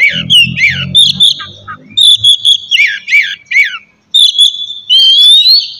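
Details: Oriental magpie-robin singing in the morning, played to provoke other magpie-robins into song: a brief low rumble at the start, then high whistled notes and quick twittering phrases, with a short pause before a long rising whistle.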